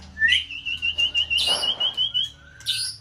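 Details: White-rumped shama song used to stimulate another bird, the singer in peak season: a sustained high whistle with a fast rolling trill lasting about two seconds, a brief noisy burst midway, and a closing chirp.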